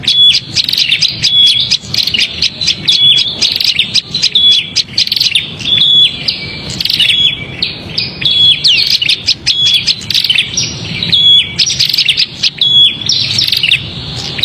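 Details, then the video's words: Prinia giving a noisy, agitated call used to lure small birds: dense scratchy buzzing chatter interspersed with thin pure whistled notes, continuous throughout. "Suara prenjak ribut paling ampuh untuk pikat"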